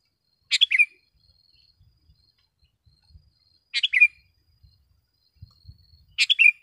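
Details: Sooty-headed bulbul in vigorous song for training caged birds: three bubbly three-note phrases spaced about three seconds apart, with faint low knocks between.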